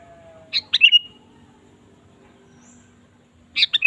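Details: A sooty-headed bulbul in lively singing form, used to coax a kept bird into song, gives a brisk phrase of sharp chirps and a liquid whistle. After a pause a second phrase begins, with a faint steady tone in the background.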